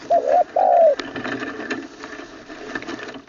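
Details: Spotted dove kept as a caged decoy bird, in its third training session in Isan, northeast Thailand, singing a style described as ending on a low kuk note with a full middle voice. Two short cooing phrases come first, followed by faint room noise and clapping.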